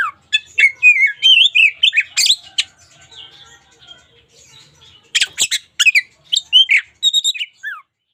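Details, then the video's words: Energetic song of a local Oriental magpie-robin for daily tutoring: warbled whistles and harsh scratchy notes, a quieter muttering stretch, then loud sharp bursts ending in a falling whistle. "KACER LOKAL GACOR SUARA UNIK COCOK UNTUK MASTERAN HARIAN!"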